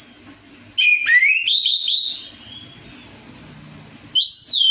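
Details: Orange-headed thrush song used as a lure to get a reluctant bird singing: a rising, slurred whistle that flows into a warbled phrase and trails off, followed by a short high note and another bright burst.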